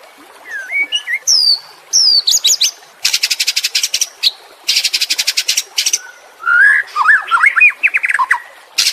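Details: White-rumped shama training song for caged birds: varied whistles lead into long rapid buzzy trills of clicking notes, then a tumbling sequence of lively whistled notes.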